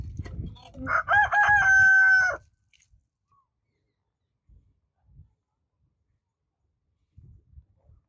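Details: Single rooster crow, a brassy, sustained cock-a-doodle-doo lasting over a second with a steady held final note, preceded by low rumbling and followed by near silence with a few faint knocks.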